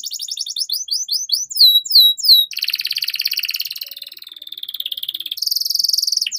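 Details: Canary song for training young canaries to sing: fast chattering notes and downslurred whistles, followed by long continuous buzzy trills that change pitch partway through.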